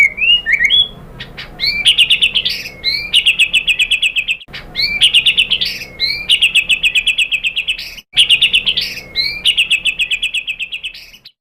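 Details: White-rumped shama lure song for provoking other shamas; loud phrases of rapid rattling trills and sharp whistles, repeated in three near-identical bursts separated by brief pauses.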